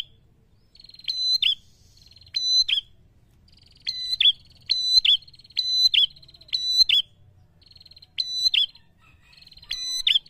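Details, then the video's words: A prinia in full song, meant to provoke rivals, repeats short, sharp, high buzzy trilled phrases about once a second with brief pauses, over a faint low background rumble. "Prenjak gacor ngalun ampuh memancing emosi lawan"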